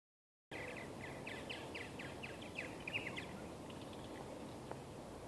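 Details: Western purple martins, a banded male among them, at Steigerwald Wildlife Refuge, Washougal, Washington, on 28 May 2013: rapid chirping and gurgling notes in a quick run, fading midway, over steady hiss of background noise.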